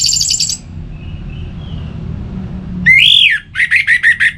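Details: Orange-headed thrush song meant to stimulate caged birds to sing in both rainy and dry seasons: a fast high trill, a faint thin whistle, then a loud arching whistled note followed by five quick repeated chirps. Low background rumble throughout.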